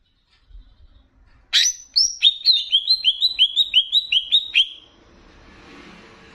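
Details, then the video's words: Greater green leafbird, Banyuwangi type, on a training master meant to excite leafbirds, mixed with bebeci: after a soft start, a loud descending series of about fourteen rapid, slurred whistled notes, followed by faint background hiss. "VARIASI LAGUNYA NGERI || MASTERAN CUCAK IJO UNTUK MENAIKAN EMOSI ! + BEBECI"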